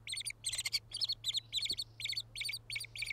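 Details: White-headed Woodpecker at its nest site: harsh, buzzy chattering bursts repeated about three times a second, high-pitched and insistent, over a faint steady low hum.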